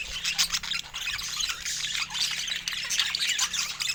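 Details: Budgerigars kept as pets chattering at fruit time: a constant wash of shrill, raspy squawks and short chirps layered over one another, with a faint low hum underneath.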